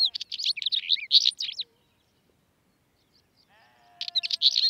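Northern wheatear giving fast, scratchy, crackling bursts of high notes, jumbled and chattering, in two phrases with a pause between.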